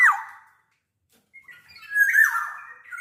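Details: Big-bodied black-naped oriole singing as a lure for other orioles: a short harsh note, a pause, then a drawn-out nasal, wavering squawk.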